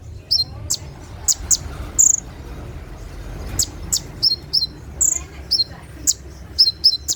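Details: Brown-throated sunbird (konin) singing its rapid 'tembakan' song at night, used for training caged birds: sharp, very high chirps and short bright whistles, scattered irregularly, with a soft low hum beneath.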